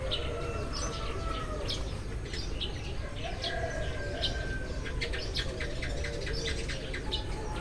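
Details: A flock of Eurasian tree sparrows calling in the morning, giving quick bright chirps repeated in lively bursts, with a continuous low hum underneath.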